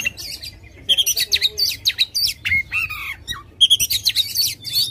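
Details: Aggressive White-rumped shama with tail spread, song meant to start a lazy bird singing: rapid clipped notes, a few downslurred whistles, then a rhythmic burst of sharp repeated syllables, soft hum beneath.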